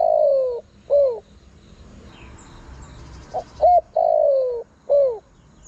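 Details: Calling spotted dove used to draw wild birds in: the tail of one phrase with a long falling coo and short curved coo, a pause, then a new phrase of brief notes, long descending coo and closing coo.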